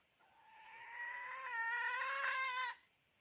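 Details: Decoy hen chicken calling: one drawn-out, harmonic, slightly wavering call of about two and a half seconds that swells in loudness and then cuts off abruptly, over a quiet background.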